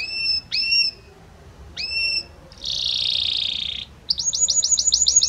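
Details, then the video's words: Belgian canary song with several different notes: spaced upslurred whistles, a buzzy rasping stretch, then a quick series of high rising chirps. "Magnífico Como canta este Canário Belga!"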